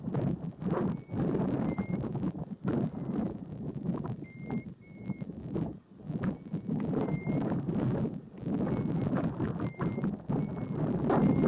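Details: Golden plovers on the Hardangervidda mountain plateau in Norway give thin, clear, plaintive single whistles, repeated roughly every second, half-buried under heavy rumbling wind.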